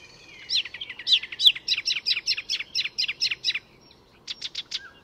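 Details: Icterine warbler, a mimic, in full song at a Swedish reserve north of Stockholm: a fast run of about fourteen sharp, harsh chirped notes, a short pause, then four quicker clipped notes.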